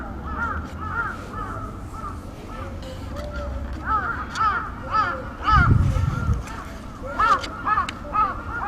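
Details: Crows in Aoba-no-Mori Park, Japan, recorded on 28 May 2017, giving what is described as an earthquake-warning call: repeated harsh, arching caws in quick bursts, several birds overlapping, with a low rumble of background noise.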